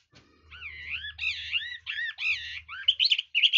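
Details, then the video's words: Red-whiskered bulbul singing with varied voice: a run of rich, warbled whistled phrases rising and falling, then quicker, higher chirping notes near the end. "Chú mi cực hay, đảo giọng hót tốt hót rất đẳng cấp"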